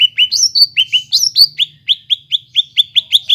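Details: Greater green leafbird singing as a stimulus for a bird gone quiet: loud, clear whistled notes repeated briskly about four per second, each dropping slightly in pitch, with a few higher ringing notes early on.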